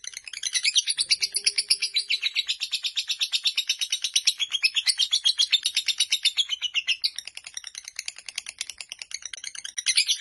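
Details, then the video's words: High, rattling chatter from a fighter lovebird during a near four-minute ngekek song, dense rapid pulses that swell in loudness, fade briefly, then grow strong again at the end. "Lovebird Fighter durasi hampir 4 menit"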